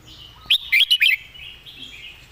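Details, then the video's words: Song-teacher red-whiskered bulbul with clear phrasing: one tight phrase of four quick, rich whistled notes rising and falling, followed by soft background twittering. "วางคำชัด"เดินสำนวนดี /นกครูเพลง#นกกรงหัวจุก #เสียงนกกรงหัวจุก"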